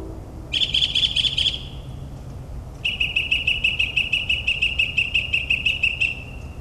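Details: Northern mockingbird singing at midnight in the suburbs of New Jersey, mimicking other bird species: a short burst of rapid high chattering notes, a pause, then a long run of evenly repeated sharp notes lasting over three seconds.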